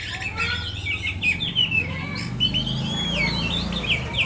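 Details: Oriental magpie-robin, kacer poci type, giving looping whistled notes and short chirps in a lively varied sequence, with a constant low hum beneath.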